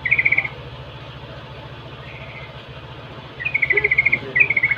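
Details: Lure call of a yellow-vented bulbul meant to provoke other bulbuls into answering: short rapid chattering bursts at the start and end, over a steady low mechanical hum like an engine running throughout.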